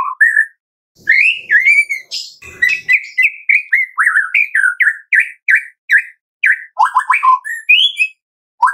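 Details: Long evening song of a white-rumped shama, a tembakan used as a lure for other shamas: a steady stream of rich, varied whistled notes, short and rapidly repeated, with occasional harsh chatter.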